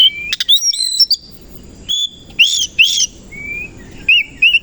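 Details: Oriental magpie-robin morning song with a tangle of sharp high notes, loud bright arched whistles, a thin level whistle and two closing whistled notes.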